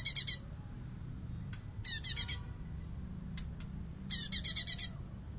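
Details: Light-vented bulbul singing bessetan-style master song for training other songbirds: three quick chattering bursts of harsh, high pulsed notes, each about half a second long, with a few single clicks between them over a low steady hum.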